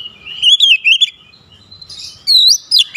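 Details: Oriental magpie-robin challenging a rival: warbled, wavering whistles for about a second, a quiet pause, then a loud rising whistle and sharp chirps.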